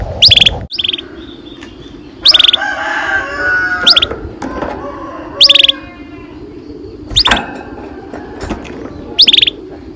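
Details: Canary song used as a training lure to get young canaries singing: short bright bursts of high chirps and trilled notes at irregular intervals, with quieter warbling between them over a low background hum.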